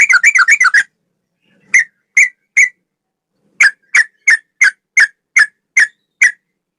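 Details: Male sooty-headed bulbul singing in the fast ropel style: a quick burst of clear, warbling whistled notes, then a pause and a steady series of single short whistles about every third of a second.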